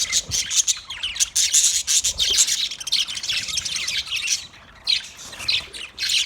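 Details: Budgies giving rapid, overlapping high chirps and harsh squawks in a busy chorus, pausing briefly around four and a half seconds before the chatter resumes.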